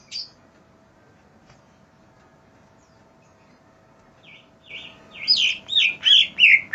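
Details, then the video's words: Greater green leafbird singing for a master track to train other birds: one brief whistle, several seconds of near silence, then a rising run of loud, rapid slurred whistles repeated quickly. "cucak ijo GACOR masteran burung"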